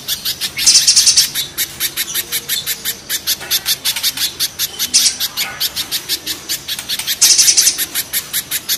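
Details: Spiderhunter, with mountain and banana spiderhunters competing: nearly nonstop sharp, high chips at a quick pace, with rasping trilled bursts near the start and end and a brief one in the middle.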